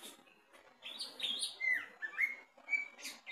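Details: Greater green leafbird in a cage, tested low at the cage bottom, giving a short burst of song: faint start, then clear slurred whistles and a few brighter falling notes, with brief breathy bursts.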